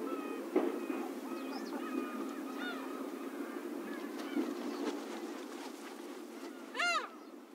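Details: Slaty-backed gulls, rare coastal winter visitors, in Pingtung County, Taiwan, on 1 February 2016 give scattered nasal honking calls ending in one loud, strained squeal, over a low rumble with other gulls calling faintly.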